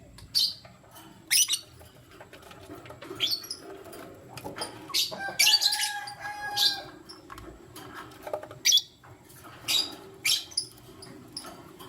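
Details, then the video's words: Lutino lovebirds, one male choosing between two females, in the morning; scattered sharp, high chirps spaced irregularly over several seconds, with a brief run of tonal notes midway. "Lutino Lovebird Chirping Sound - 1 Male Chooses 2 Females"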